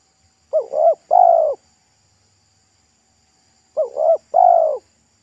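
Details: Loud, thick-voiced local spotted dove singing pesom style near a roadside during trapping. Two matching three-note phrases roughly three seconds apart: paired short bending notes and then a fuller falling coo. Quiet otherwise.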